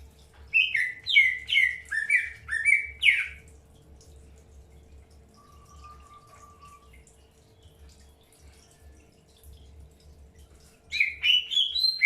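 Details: During an early pairing session, a Greater green leafbird gives a quick burst of six or so bright, descending chirps. A long quiet stretch follows, broken by one soft low whistle, before another rising chirp series at the end.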